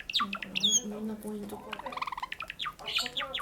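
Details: A pet cherry Java sparrow sings in quick high chirps, then a bubbling run of clicking notes and more sharp chirps, over a low steady hum; early on it is not yet singing properly.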